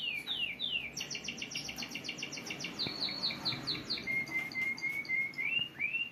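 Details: Young canaries learning to sing through listening and training; three falling slurs, then a fast rhythmic chattering trill, then a long, steady, thin whistled tone ending in two rising curls, over a low background rumble.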